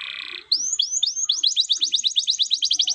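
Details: Canary singing in the 'cengkok mewah' style: a brief low buzz, then a few looping whistled notes that speed into a fast, bouncy run of repeated rising-and-falling chirps.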